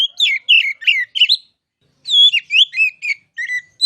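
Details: Kacer, the oriental magpie-robin, in ngeplong masteran song: loud clear whistles rising and falling in quick, varied phrases, a short gap midway, no other sounds.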